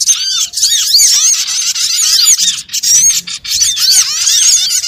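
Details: Small birds calling in a trapping lure recording, thick bursts of sharp upward-flicking chirps and squeaks from many birds together, with brief gaps near the middle and toward the end.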